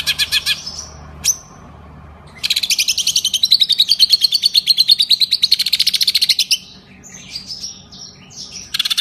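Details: Green leafbird, a kept songbird, singing a medley of imitations that includes lovebird trills: short bursts of pulses, then a long, fast, even trill of about six notes a second, ending in scattered whistles.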